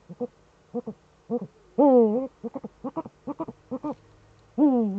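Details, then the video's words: Pair of Eurasian eagle-owls calling in the Eifel, Germany, on 7 April 2013 at 20:28, the male at the nest; short low paired hoots repeated about twice a second, broken by two long, harsh, wavering notes. "Uhu Eifel 2013-04-07 20.28 Lotte und Heinzl rufen - Heinzl am Horst"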